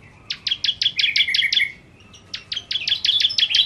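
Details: Bar-winged prinia (ciblek kristal) in lively 'nembak' style song: rapid bursts of sharp, high chirps repeated about three per second in two runs with a short pause between, over faint low background hum.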